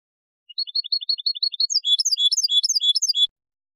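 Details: A European goldfinch sings a rapid, tinkling run of high twittering notes, from quick short chirps building into a denser liquid trill; a tutoring recording for goldfinches and goldfinch hybrids.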